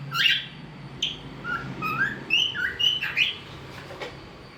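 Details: Cockatiel kept as a pet, singing: a string of short whistled notes, some rising and some falling, in a bright, tuneful sequence over a low indoor hum.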